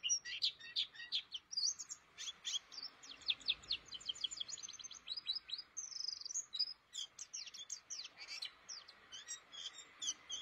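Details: A caged white-eye sings a fast, continuous warble of high, thin chirps and twitters, with quick rising and falling notes tumbling over one another.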